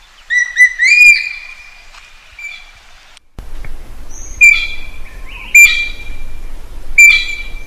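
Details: Common green magpie, also known locally as นกขุนแผน, calling for a mate in a natural setting; clear whistled notes with harsh overtones, some sliding upward, given in short bursts and repeated several times over a quiet background.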